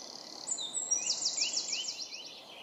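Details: Wild Eurasian nuthatch on an old beech tree in Epping Forest, south-east England, in early May, calling loudly while bobbing in display: a fast series of high, sharp piping notes running about two seconds, over a steady woodland hiss.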